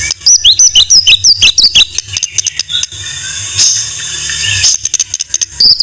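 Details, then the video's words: White-rumped shama song, a master tutor recording for songbird training: a burst of quick high whistled notes and clicks, a long hissing buzzy stretch, then fast clicking notes again. "Masteran MURAI BATU No.1"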